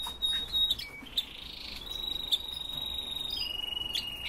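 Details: Captive red-billed leiothrix, known as Chinese nightingale, singing a series of clear high whistles, some held and gently sliding down in pitch, with brief sharp chirps between them.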